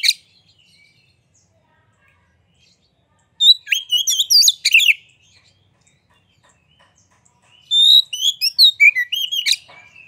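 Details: Oriental magpie-robin (kacer) singing energetically while spreading its tail, used as a lure to stir other magpie-robins into singing. Two bursts of high, varied, sweet whistles and chattering notes, separated by a few seconds of silence.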